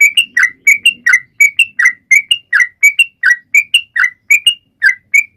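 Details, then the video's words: Energetic Sooty-headed bulbul song used to prompt silent birds to sing: regular couplets of bright whistled and throaty chirped notes, roughly two per second, over faint low background sound. "Trucuan gacor!!mancing burung lain ikut bunyi"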